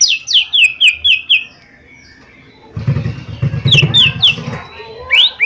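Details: Energetic lesser green leafbird song meant as a lure to prompt quick singing: strings of bright, slurred, falling whistles fired about four per second, a brief lull, then renewed runs over a low rumbling background.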